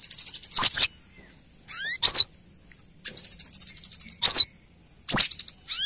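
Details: Female Brown-throated sunbird calling to the male, played as a lure. Fast high ticking trills alternate with loud, piercing arched notes about every one to two seconds, plus occasional upward-sliding sweeps.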